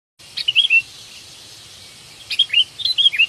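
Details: Sooty-headed bulbul, the kutilang ranting type, calling while seeking a companion, used as a trapping lure: two bursts of short, bright, bubbly whistled notes, the second burst longer with quick slurred phrases.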